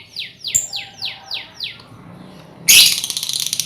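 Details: Lovebird colony recording meant as a lure for trilling: five quick downward-sliding whistles in a row, then a loud, rapid, harsh high chatter that fills the rest.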